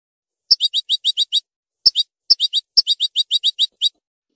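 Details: Song of a European goldfinch, with crisp high chirps delivered in rapid clusters and brief gaps between them, with no other sound.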